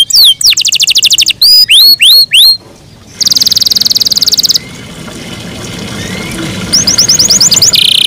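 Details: A domestic canary singing in the morning, with bursts of hooked whistled notes and buzzy trills, a rapid high rattle, a quieter stretch, and then a fresh run of quick repeated sweeps.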